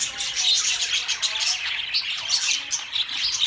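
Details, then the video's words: Budgie flock chattering nonstop: bright, scratchy chirps and short whistled notes overlapping densely at a steady loudness. "Beautiful Budgie Beautiful Budgies Parrot Talking"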